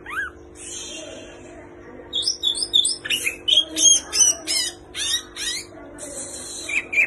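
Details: Greater green leafbird in varied song made of mimicked phrases: a jumble of high squeaky whistles, sweeping slurs and harsh chattering notes, rising and falling quickly.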